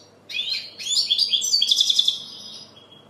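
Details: Short burst of European goldfinch song: a quick run of bright twittering notes ending in a rapid series of clear repeated tinkling chirps, high and sweet.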